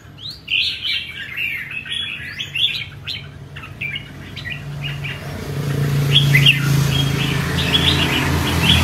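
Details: Cage-kept red-whiskered bulbul singing showy chattering phrases for the first few seconds. A growing low engine-like rumble then dominates, and a few more bird notes come through faintly.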